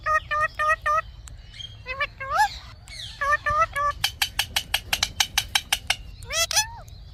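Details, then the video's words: Talking Indian ringneck parrot repeats short steady harmonic notes in groups, adds bending vocal phrases, then a long fast series of sharp clicks and a final arched call. "Funny Talking Indian Ringneck Parrot"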